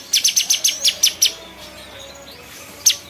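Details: Cucak cungkok bulbul giving a fast run of about eight sharp, high chirps in a little over a second, then a pause and one final chirp.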